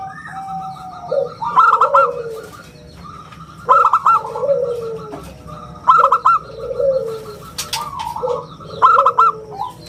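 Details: Zebra dove of a local line, singing steadily in a round crystal tone meant as a lure and teaching song: five phrases of clipped bright coos roughly every two seconds, each over a softer falling lower coo.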